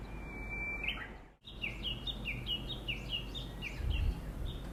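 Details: A wild bird near a new home in nature-rich countryside, its call likened to "choregi": a steady run of short, bright two-part chirps, each dipping then rising, repeated about three times a second over low rumbling background noise.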